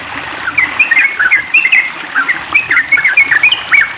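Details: Noisy trucukan (yellow-vented bulbul) during water therapy, giving a busy run of sharp, twisting chirps and short warbles in two dense bursts, with constant gushing water behind.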